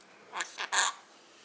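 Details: Indoor pet Quaker parrot speaking its common words to its owner: three quick raspy syllables in a row, the last one longest and loudest, with a little human speech nearby.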